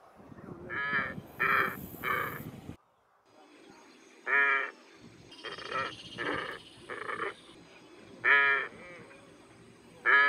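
Glossy Ibis giving hoarse, nasal croaking grunts, single or in quick groups of two or three, at uneven intervals; a faint high insect-like hiss runs underneath.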